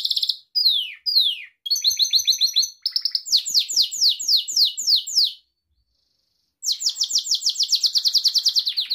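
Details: Gloster canary song for training pet canaries: mixed chirps and a fast trill, a steady series of descending sweeps, a silent gap, then a long rapid rattle of repeated notes.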